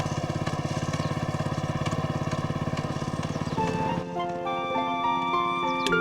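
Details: A rapid, throbbing engine-like drone runs for four seconds, then gives way to sustained layered musical tones, with no animal voice.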